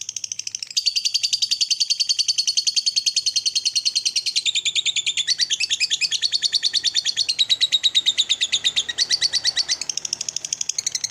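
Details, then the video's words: Lovebird long trill used each morning to stimulate other lovebirds: an unbroken, fast, shrill rolling chatter lasting over ten seconds, changing pitch in several sections. "SUARA PEMACU Ini Bikin Love Bird Ngeroll & Ngekek Ganas! (Masteran Pagi Hari"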